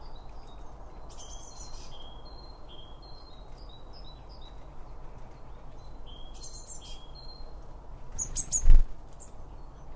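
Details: Birds chirping while eating at a feeder, picked up by paired microphones near the feed: scattered thin high tweets and a few buzzy bursts, ending with a sharp knock, over faint low hum.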